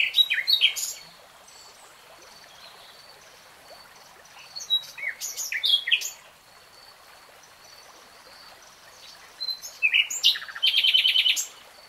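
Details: Common nightingale singing in real time: three separate phrases of high, rapid notes, the last a fast rattling trill of repeated units, with quiet pauses of several seconds between them over a steady hiss.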